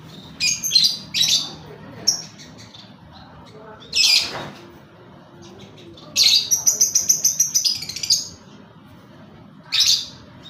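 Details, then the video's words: Lovebird used as a singing lure: sharp, high squeaky chirps in bursts, including a long rapid stuttering series of about a dozen clicks-like notes, separated by quiet pauses over a faint low background hum. "Pancingan Lovebird ngekek"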